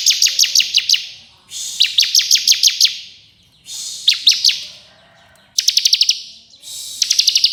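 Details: Bar-winged prinia (ciblek kristal) singing in ngebren, nembak style, meant as a tutor recording for contest songbirds: bursts of rapid, evenly spaced high ticking notes, each about a second long, separated by short pauses and softer rising whistles.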